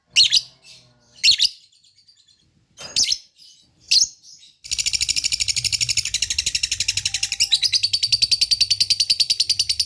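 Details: Lovebird lure played to provoke other lovebirds to call back: a few rough, separated chirps open, then a long, fast, steady high chattering trill runs to the end.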